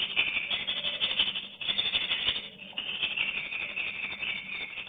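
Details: Swiftlets flocking into a nesting house as a colony; crowded high-pitched rattling and chittering calls pour out continuously, rising and falling in intensity without pause.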